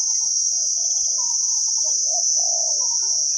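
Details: Deep-voiced wild spotted dove giving 'khu ang' style coos, Thailand, decoy trapping: a string of soft, wavering low coo notes, with a loud continuous insect hum high above.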